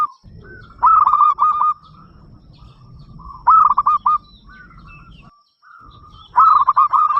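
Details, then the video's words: Local zebra dove, a loud and frequent singer calling other doves to sing, gives short stuttering coo phrases spaced a few seconds apart over a steady low background rumble. "perkutut lokal gacor suara besar"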